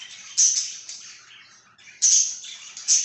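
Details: Budgerigar chirping, dated 26 July 2023: a few sharp, bright chirps in quick bursts, with quieter scratchy twittering between them and a short lull near the middle.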